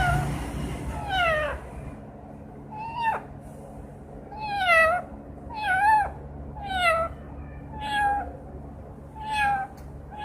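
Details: Green parrot, a kept pet bird that sings, whistles and talks, imitating a cat's meow: drawn-out, falling, nasal calls repeated about every second, with a steady low hum behind.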